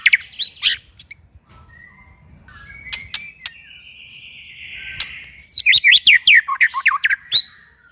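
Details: Shama song broken by clicks and a long, buzzy hissing sound, followed by a vigorous final run of sharp, high downslurred whistles.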